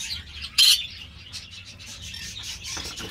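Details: Green-cheeked parakeet kept by an amateur breeder: one sharp, raspy shriek early on, then busy, softer chatter that continues to the end.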